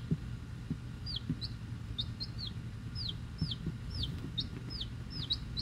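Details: Week-old chicks, Rhode Island Red and Black Sumatra hens plus one unknown, hatchery-bred and kept indoors, give high, clear, downward-sliding peeps repeated about two per second by several birds, over a low steady hum.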